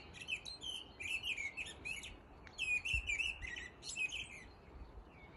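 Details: A mistle thrush sings its melodic courtship song, heralding spring, in daytime: two bursts of loud, fluty, wavering whistles, each about two seconds with a short pause between, over a faint low rumble.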